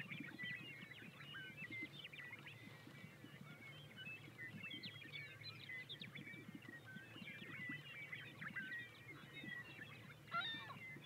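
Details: Greater sage-grouse displaying at a lek in Eastern Montana in April 2020 give a steady stream of low, bubbling pops and gulps from several birds, while songbirds, mostly western meadowlarks, chirp and twitter above.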